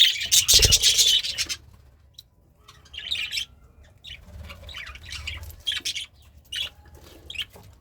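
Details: Pet budgerigar content while eating greens: an opening loud chattering burst, then quieter intermittent chirps and short squawks separated by silence.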